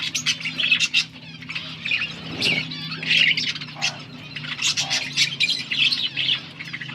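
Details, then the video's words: Several budgies chatter at once, dated August 15, 2024, in bursts of high scratchy warbling, squawky chirps and quick twitters that swell and fade every second or so over a faint low hum. "Budgies sound for lonely birds birds chirping sounds"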